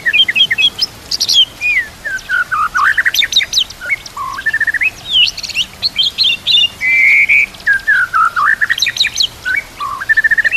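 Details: Tutor recording of white-rumped shama song with inserted kapas tembak and canary imitations: a varied, jumbled stream of whistled slurs, high sharp chips and buzzy flourishes, changing every second or so.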